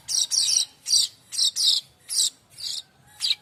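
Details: Streaked weaver used as a tutor for songbirds: a series of short, harsh, raspy high chirps, single and in pairs, about three per second.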